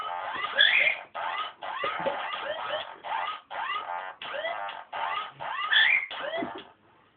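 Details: A pet male cockatiel, dancing and grooving, gives a run of harsh, harmonic chattering notes, each sliding up or down, in quick bursts.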